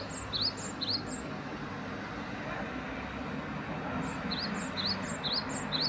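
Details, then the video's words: {'caption': 'Great tit singing bouts of rising whistles paired with higher notes at the start and end, separated by a quiet stretch of traffic-like rumble.'} "박새 Great Tit"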